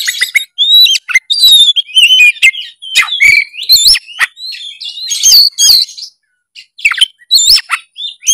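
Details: Oriental magpie-robin (kacer) in full song, used to spur a quiet bird into singing: loud, varied whistled phrases, rising and falling slurs around high pitch mixed with sharp chips, nearly continuous with brief pauses.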